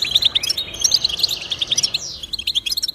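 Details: Fast, sparkling goldfinch twitter for motivating goldfinches to sing: chattering high notes run together, broken by a short buzzy downslurred note in the middle, over a quiet background.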